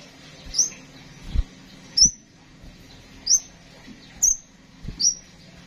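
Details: Kept Van Hasselt's sunbird, used as tutor audio for songbird training, utters sharp high-pitched chirps about once a second, each a quick rising flick, with dull knocking thuds beneath and steady low hum.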